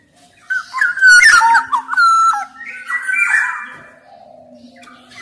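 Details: Black-naped oriole in song for tutoring and prompting lazy singers: sharp whistled notes with a harsh burst, stepped fluty phrases, then a softer buzzy warble fading out.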